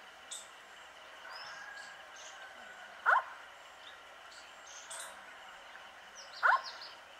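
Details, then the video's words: Nocturnal Indian scops owl near Sikar in Rajasthan, India, 7 April 2020, giving two brief, soft, falling hoots about three and a half seconds apart; faint high chirps and light background noise between them. "Indian scops owl call Otus Bakkamoena"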